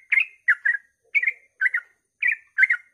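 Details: Sooty-headed bulbul's dawn 'ropel' song meant to get other bulbuls singing; bright two-part chirped phrases spaced roughly every half second, each dropping slightly at the end, over silence.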